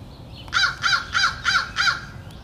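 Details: Rowdy, greedy crows at feeding time; a series of five hoarse, grating caws spaced evenly about three per second, clear over soft low background noise.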